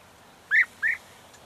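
A European goldfinch gives two short, slurred, arching notes about a third of a second apart against faint background hiss.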